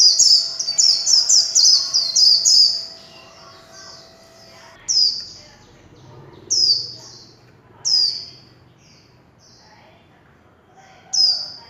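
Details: Warbling white-eye singing in the líu chòe style, recorded without background noise: a rapid run of high chirps for about three seconds, then single high slurred notes that drop in pitch, spaced roughly one to two seconds apart.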